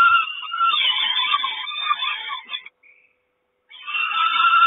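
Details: Peregrine falcon at a nest in Kawęczyn on 3 June 2022 as the mother brings breakfast: loud, harsh, screaming calls with a nasal edge run for over two seconds, break off briefly, then resume.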